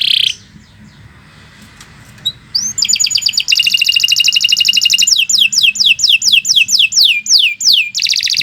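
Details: Canary with a long tutoring song: a short buzzy note, then near silence with low hum, then a dense high rattle breaking into repeated falling whistled notes, each about half a second apart.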